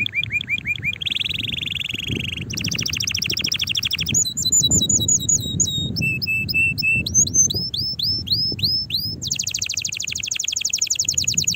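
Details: Strong canary song aimed at rousing other canaries and preparing females to mate: a long sequence of changing trills, buzzy rolls, held low notes and sweeping whistles, with faint low background noise.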